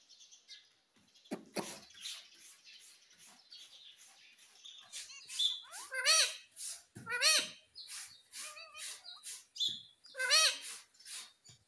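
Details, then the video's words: Pet ringneck parrot chattering in speech-like bursts, loud harmonic arched syllables repeated every second or so amid scratchy squawks and clicks, in a quiet room. "Mummy Mummy Bolne Wala Parrot || Talking Parrot"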